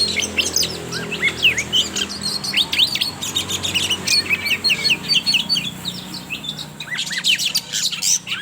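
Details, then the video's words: Spotted oriental magpie-robin (kacer trotol) song used as a lure to get young birds singing: dense, rapid chattering of sharp whistled notes and buzzy sweeps, high-pitched and continuous, with brief pauses and a burst of scratchy notes near the end. "Pancingan suara Kacer trotol BIKIN KACER NGEPLAY"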